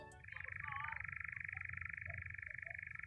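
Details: A European nightjar, a nocturnal summer migrant, churrs on open heathland in the New Forest on a summer evening at sunset: a dry, continuous mechanical trill at one pitch, just out of sight, over low wind rumble and faint lower notes.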